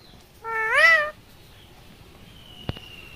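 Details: Young pet rose-ringed parakeet, a talking bird that mimics human speech. It gives one loud, clear, rising-then-falling meow-like note with rich harmonics, followed by quiet and a short sharp click.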